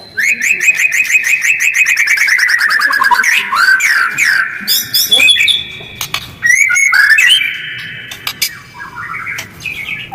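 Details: White-rumped shama lure song with closely spaced phrases, harsh and quick, to provoke other birds to respond: a long run of rapid repeated whistled notes sliding down in pitch, then mixed rattles, chatters and sweet whistles.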